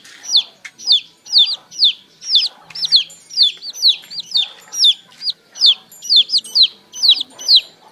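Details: Baby chickens heard in the morning keep up a continuous sequence of sharp, descending whistled peeps, about two per second, some in close doublets, over a faint background murmur.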